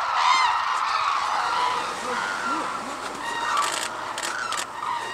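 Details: Flock of Hooded and White-naped Cranes at Arasaki Crane Center, Kyushu, Japan, in snowy surroundings: a steady, crowded chorus of harsh bugling calls, with individual trumpeting notes rising above it and a person speaking in the background.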